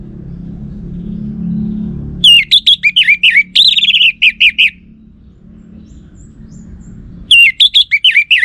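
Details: Orange-headed thrush lure song that males reply to. Two bursts of fast, varied whistled and warbled notes, the first lasting over two seconds, the second starting after a pause of nearly three seconds, with low background hum.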